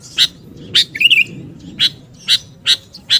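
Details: Sooty-headed bulbul, kutilang, lure call used to attract wild birds: short sharp chirps repeated about every half second, with one brief warbled phrase near the start, over a faint low hum.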